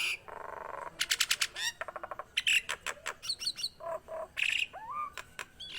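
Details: Nias hill myna singing steadily, a varied run of harsh squawks, rapid stacked clicks, buzzy bursts and short whistled slurs with brief gaps between phrases.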